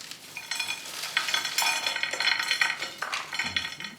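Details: Clinking dishes, stirring and a broadband sizzle-like hiss fill the recording, with no animal voice. Brief metallic chinks stand out over the steady noise.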